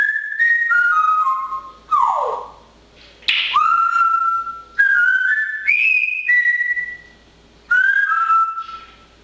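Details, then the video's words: Pet parrot in lively mood on a fine day, whistling loudly: a run of clear, level and stepped notes, with one rapid downward swoop and a sharp rising whistle, in bursts with short pauses. "de papegaai is wel erg druk met dit mooie weer"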